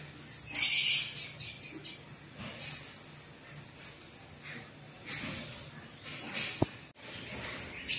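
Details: Javan myna giving loud clusters of high, squeaky chirps and whistles, broken by brief harsh rasps and short pauses, plus a single sharp click near the end.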